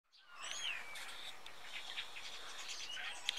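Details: About twenty common starlings gathering in tall fir trees in Jutland, Denmark, in autumn, feeding on berries before migrating south; mixed whistles, slurred notes and chatter overlapping continuously.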